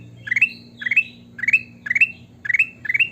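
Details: Sooty-headed bulbul in lively song, six quick bubbly phrases, each a rising run of warbled notes ending on a higher whistle, spaced roughly half a second apart over a faint low hum.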